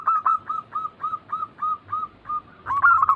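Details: Zebra dove song from a group recording used to trigger singing: a clean series of short whistled coos, about four per second, ending in a louder, busier overlapping burst.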